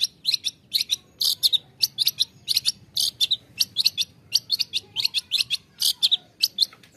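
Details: Long-tailed shrike song for therapy of stressed caged shrikes: steady series of short harsh scratchy chattering bursts, evenly spaced and quickly repeated throughout.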